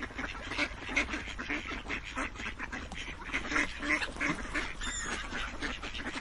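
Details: Several ducks quack continuously, rapid raspy notes about three per second overlapping in a busy flock chatter, with a faint high squeak near the end.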